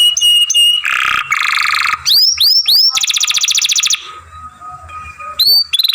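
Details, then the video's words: A young canary sings masteran song, mixing high whistles, grating buzzy rolls, swooping upslurred notes and a rapid pulsed trill, followed by a quieter drawn-out tone and a final high sweep. "Young Canary Masteran, Long Sounds Grumbling"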